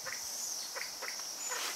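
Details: Kalij pheasant (Lophura leucomelanos) in Dang, Nepal, giving short, husky clucking notes, four in under two seconds, over a steady high-pitched insect drone.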